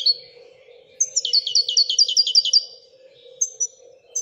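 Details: European goldfinch from Morocco in Wedania-style song: a brief high note, then a fast even trill of about ten bright repeated notes lasting a second and a half, with a soft low hum beneath.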